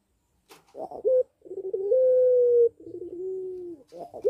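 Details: Caged puter pelung dove in breeding condition, kept at a breeding aviary: a brief stuttered lead-in, then long level coos, one clear steady note and a lower, slightly wavering one, in a quiet room.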